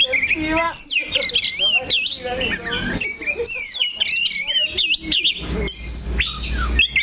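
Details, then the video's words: Oriental magpie-robin, called kacer, fixed in one position on its perch, singing loud looping whistles, curling slurred notes and rapid chirps almost without pause; low rumbling noise toward the end. "KACER THE LOCO NANCAP 1 TITIK"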